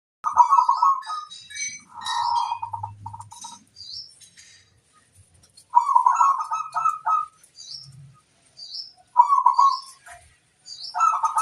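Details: Zebra dove, a local bird used as a master singer to lure wild birds: bursts of rapid purring trilled coos repeated in phrases, with high thin chirps of other small birds between them.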